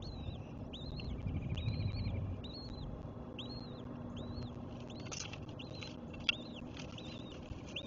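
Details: Eagles at a nest at Cardinal Land, 21 March 2024; a long run of high, thin, arched chirps, rapid and uneven, over steady low rumbling noise with a few knocks and rustles.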